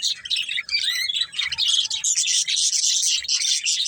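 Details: Two budgerigars, a breeding pair, keep up an unbroken, bright, scratchy warble of tightly packed high chirps and squeaks.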